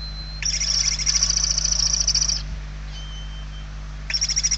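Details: Hungry barn owl chicks begging inside a nest in Spain, 28 November 2023, with one chick very weak: long harsh rasping hisses lasting about two seconds, a thin faint whistle in the pause, then the hissing resumes over a steady low hum.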